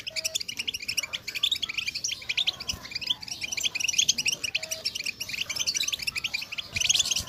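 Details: Group of female European goldfinches calling to stimulate males into singing: a dense, continuous chorus of high, rapid twittering and chattering notes, overlapping throughout, with a few brief steady mid-pitched tones.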